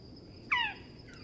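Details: Australian owlet-nightjar: one quick descending harsh note with layered overtones, over a hissy background with a faint second sound near the end.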